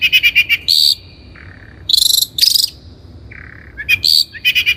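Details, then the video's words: Energetic 'gacor' song of the long-tailed shrike (Lanius schach), locally cendet, used as a training lure: quick clipped note runs, rasping buzzy bursts, and two brief level whistled notes in the pauses. "PANCINGAN CENDET GACOR COCOK BUAT CENDET BAHAN | THE LONG - TAILED SHRIKE SOUND"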